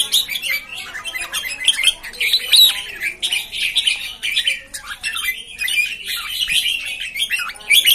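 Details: Red-whiskered bulbul (jambul) newcomers, 13 June 2019: rapid chattering chirps and brief clear whistles tumble over one another in a continuous lively burst.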